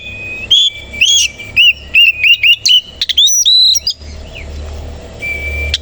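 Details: A kacer koci, the Oriental magpie-robin, in its morning display of puffed feathers and open tail, pours out a rapid series of bright, ringing whistled notes, about two per second, then looping high phrases and a long thin whistle.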